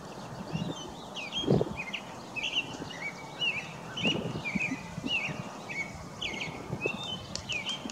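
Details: American robin singing in a Wisconsin backyard: short whistled, slurred caroling phrases repeated steadily about once a second, with low thumping knocks and soft background noise.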